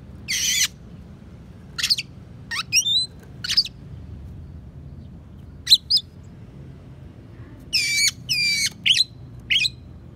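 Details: Magpie-robin delivering borrowed sparrow and prinia phrases, meant as a tutor recording for other songbirds: harsh rasping bursts mixed with quick twisting whistles and chirps in irregular clusters, with silent gaps and faint low hum.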